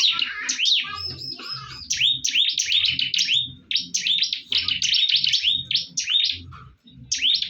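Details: Fighting bar-winged prinias give dense, scratchy runs of high chirps mixed with sharper up-sweeping notes, nearly nonstop, with low fluttering thumps in the background.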